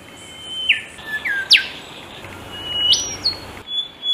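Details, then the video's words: Rufous and golden whistlers in Australia sing against each other: clear sustained whistles ending in sharp upward or downward whip-like notes, several phrases trading back and forth, with a faint low hum beneath. "Rufous vs Golden Whistler sing off"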